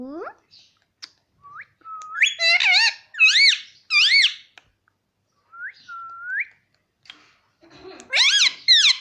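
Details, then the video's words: ['Talking pet Indian ringneck parrot calling "mummy": a rising opening note, short flat whistles, then a burst of quick arched speech-like syllables. Later comes a rising whistle, then more rapid arched syllables with clicks.'] "non stop talking mummy || papa ka pyara mithu || cute Indian ringneck parrot"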